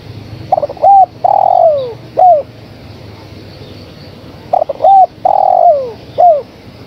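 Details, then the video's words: Two matching phrases from a female spotted dove calling to the male, about four seconds apart. Each holds brief stuttered coos, a sustained coo gliding down and an arched closing note. "Suara Tekukur Betina Gacor Memanggil Sang Jantan"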